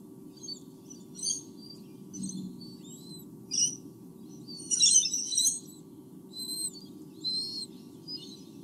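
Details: Two White-bellied sea eagle chicks in their nest in Australia, filmed by a live nest camera on 8 August 2015: thin, high squeaky chirps and short squeals in irregular bursts, a loud cluster near the middle, over a steady low hum.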